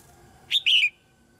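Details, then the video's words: Female red-whiskered bulbul singing in a cage to stimulate newly grown birds to sing; a single crisp whistled phrase, brief high note followed by a rolling slur that falls away. "นกหัวจุก-birds - Ep.57 - นกตัวเมียร้องเพลงในกรงเพื่อกระตุ้นให้นกที่โตใหม่ร้องเพลงมากขึ้น"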